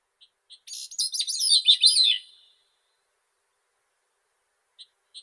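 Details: Single grey-cheeked thrush song phrase of rapid, thin, descending spiralling notes after two faint lead-in notes, followed by silence and two soft short notes.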